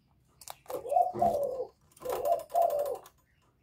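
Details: Spotted dove in Thổ voice style calling to provoke wild males; two low cooing phrases, each a short note followed by a longer throaty coo, with clicking and handling noises behind.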